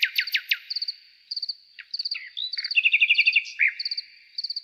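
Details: Nightingale song opening with loud descending whistled sweeps, then mixed chattering trills and a rapid rattling series, while high clustered chips repeat steadily in the background.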